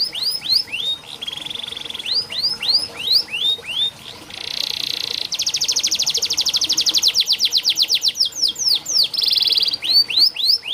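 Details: Canary singing as a model for canaries that rarely sing. Looping whistled sweeps give way to a long metallic trill and fast note series, then more sweeping phrases.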